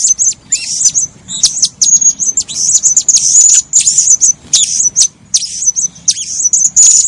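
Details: Blue-crowned hanging parrot calling, a recording used as a lure for trapping birds: rapid, shrill, high-pitched chirps and squeaks in dense bursts, with short sharp notes and thin whistled tones, nearly continuous for seven seconds.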